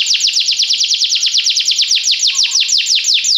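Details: Canary singing, used as training to get a canary to sing: an even, rapid roll of repeated falling notes, about seven per second, bright and high, held through the whole stretch.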